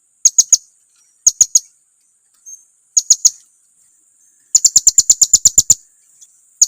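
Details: Blue-crowned hanging parrot giving a lure call that provokes rivals: short groups of three piercing high chirps at intervals, then a rapid string of about ten sharp notes near the end.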